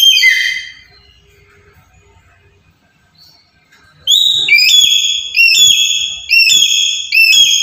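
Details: A black-capped lory, used as a master bird for trapping, gives one falling call, then a quiet pause with low rumble, then a fast run of loud, bright, stepped whistled calls about twice per second.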